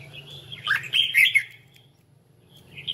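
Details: A red-whiskered bulbul in competitive singing or voice training gives a brief burst of bright, liquid warbled notes, rising and falling, with a faint closing chirp after a pause, over a low hum.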